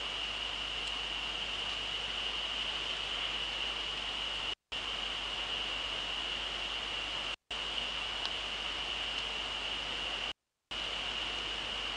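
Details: Only a steady hiss with a constant high-pitched tone is heard, broken by a few brief silent gaps.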